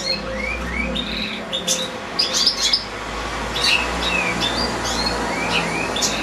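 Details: Several European goldfinches and goldfinch-canary hybrids (two goldfinches, two small hybrids) twitter together in quick, liquid chirps and rising slurred notes over a steady low hum; one goldfinch sings at length, possibly the lower one in the breeding cage.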